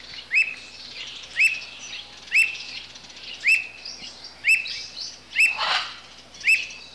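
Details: Squirrel cuckoo delivering evenly spaced, sharp upslurred whistles, seven in all, with a brief rush of wing flutter near the end and faint twittering behind.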